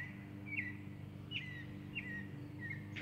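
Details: Northern mockingbird (Mimus polyglottos) on 16 October 2022 repeats a short, slurred chirp four times, roughly every two-thirds of a second, over a steady low mechanical hum.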